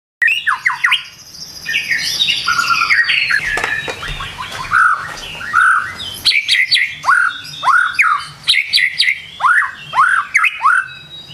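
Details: White-rumped shama singing in the morning: a rich, varied burst of whistled and chattering phrases, then a run of loud, sharply down-slurred whistles repeated about twice a second.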